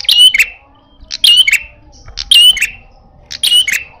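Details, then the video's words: Red-headed prinia, described as fierce and in fighting style, giving loud sharp chirps: each burst a bright whistled note dropping into a buzzy trill, repeated about once a second in four bouts, over a faint low hum. "Burung prenjak kepala merah galak gaya tarung bagus"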